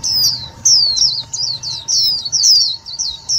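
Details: Indian white-eye calling as a trapping lure and to stimulate rival white-eyes: a quick string of bright, thin, falling tweets, closely spaced, with a faint low hum behind.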